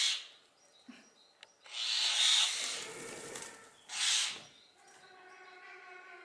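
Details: Common hill myna, a noisy imitator in a zoo bird garden in Upie, Drôme, France, gives long, loud, breathy screeches separated by a pause, with faint tonal whistles in the background.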